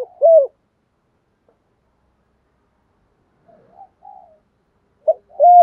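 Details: Spotted dove pair, male and female, cooing to stimulate singing in trained doves. A short, full coo starts the recording and another ends it, separated by a long near-silent gap with faint soft murmurs.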